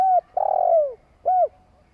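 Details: Long coo of a spotted dove, meant to provoke other doves to call: a clear arched hoot ending, a drawn-out throbbing note sliding downward, then a single rounded hooted note, with a quiet background.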